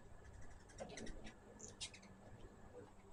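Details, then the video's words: At a feeder, hummingbirds utter a quick run of sharp, high-pitched squeaky chips within about a second, then fall quiet against a low background hum. "My first hummingbird video with natural sound."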